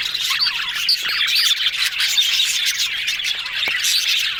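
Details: Yellow budgerigars in a group, described as talking and happy: a dense, continuous warbling chatter with overlapping chirps and squeaky notes, steady throughout, with a few sharper tweets standing out above the murmur.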